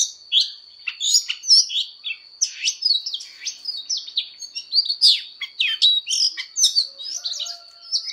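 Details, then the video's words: Fighting song of an Oriental magpie-robin during voice training: dense, energetic run of clipped whistles, sweeps and chattering notes, nearly continuous, accompanied by an unbroken thin high tone. "Choè than hót đấu/Choè than hót luyện giọng căng lửa/Choè than hót"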